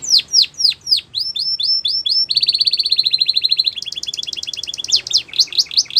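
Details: Canary training song: a series of sharp downward-slurred whistles, then a fast even trill, a higher rattling roll, and finally separate sweeping notes again. Faint hiss lies underneath.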